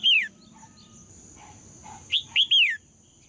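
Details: Female red-whiskered bulbul singing to provoke males into strong song: clear whistled notes sweeping high then falling, one opening note followed after a pause by three quick slurred notes, with a faint steady insect-like hum behind.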